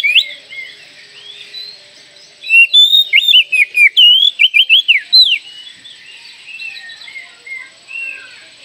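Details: Actively singing Oriental magpie-robin with its tail spread, used as a lure to spur young birds to sing. After soft scattered notes, a three-second burst of loud, rapid whistled phrases with looping, bending notes, then quieter fragments.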